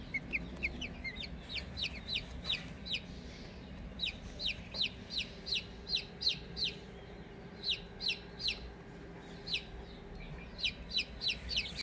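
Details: Cuckoo partridge Brahma chicks, newly hatched, give bright, sharp peeps in a steady run of about three per second with brief pauses, over a low background rumble.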